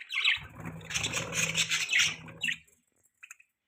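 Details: Budgies chirping in short bright bursts and squawky chatter, with a low droning hum underneath for the first two seconds, then a few scattered faint chirps near the end.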